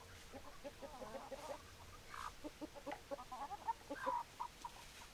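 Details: Hens and roosters being fed, with a steady run of short clucks and a few brief squeaky notes. Soft tapping and rustling sounds run underneath.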